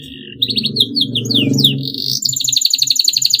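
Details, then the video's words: Canary singing a long song said to spur rivals into answering: high downward-sliding whistles and a rising note, then a rapid buzzy trill, over a low rumbling background hum. "KENARI GACOR PANJANG, TERBUKTI BIKIN LAWAN LATAH IKUT BUNYI GACOR NYERANG FIGHTER"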